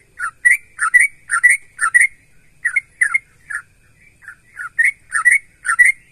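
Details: Gacor song of a trucukan (sooty-headed bulbul), used to make other bulbuls sing in response. Rapid runs of rich, gurgling, slightly rising notes repeated roughly twice a second, with a short break midway and no other sounds.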